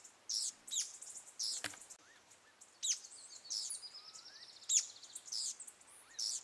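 A white-naped brushfinch gives very high, thin, sharp notes in short bursts about every second, with softer lower whistles in the background.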